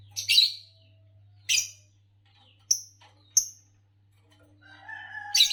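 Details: Green Fischer's lovebird, a type known for long songs, uttering a string of sharp high chirps roughly once a second, some clipped and whistled, ending in a warbling phrase and a harsh burst, over faint hum.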